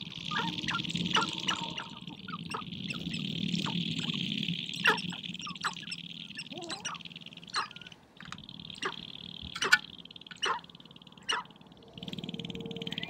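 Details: Sharp-tailed grouse at a spring courtship gathering on the prairie, dancing and fighting to win females: a continuous high buzzing rattle, scattered sharp clicks and cackles, and low pulsing beneath, pausing briefly midway.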